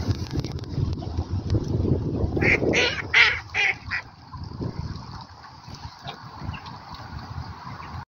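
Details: Ducks giving a short run of loud, harsh, nasal quacks over about a second and a half. A steady low rumbling background continues throughout and afterward.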